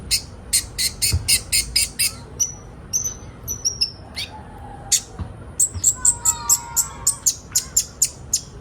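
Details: Sunbird song played to get young birds singing: a fast series of sharp, high ticks, then thin whistled notes, then more rapid chipping with a soft lower warble.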